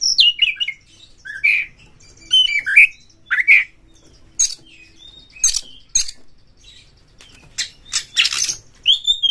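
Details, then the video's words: Oriental magpie-robin lure song to excite other magpie-robins: quick whistled slurs and scratchy buzzy bursts in choppy phrases, with several loud rasping notes near the end. "pancing KACER sampai GACOR NGEPLONG BONGKAR ISIAN BUKA EKOR suara cepat Naikan EMOSI KACER Anda"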